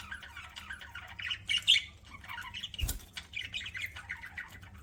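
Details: Pet parakeet chirping while eating, with rapid warbling chatter and a few louder squawks, broken by one sharp click-like knock midway.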